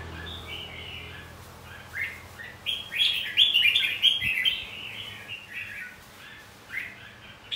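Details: Red-whiskered bulbul fighting song meant to spur caged birds into singing duels; loud, rapid warbling phrases building in the middle, quieter phrases trailing off, faint hum underneath.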